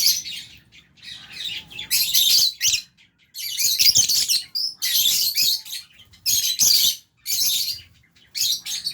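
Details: Albino and Fisher's lovebirds in an aviary at mealtime with budgie parrots; dense, nearly continuous high shrill chirping in long loud bursts broken by brief silences.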